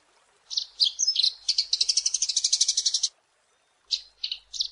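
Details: After a moment of quiet, a Eurasian tree sparrow gives a few chirps, then a fast run of bright repeated notes lasting about two seconds, followed by three lone tweets; recorded for training songbirds.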